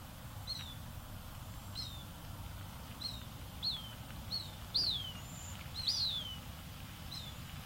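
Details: Young Cooper's hawks in Vancouver, BC, a species that nests in tall trees with extensive canopy, give thin, high, down-slurred whistled cries, about nine in eight seconds at an uneven pace, over a low rumble of distant traffic.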